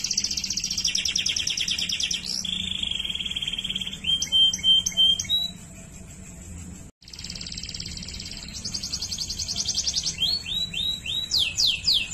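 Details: Waterslager canary singing indoors: fast buzzy trills, a long steady whistled note, then clipped bell-like notes; after a brief silent break, more rapid trills and steep falling slurs.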